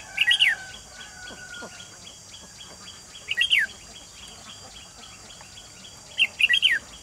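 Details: Caged decoy red-whiskered bulbul used in a trap to lure wild birds, 28 June 2020: three short, bright warbled phrases, each a quick run of rising and falling notes, spaced about three seconds apart over a steady background hiss.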